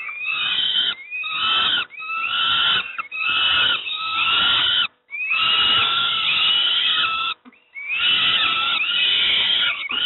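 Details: Young peregrine falcons at Moszna, Pruszków, Poland, begging during breakfast: a steady series of hoarse, wailing screams, many starting with an upward swoop, roughly one per second.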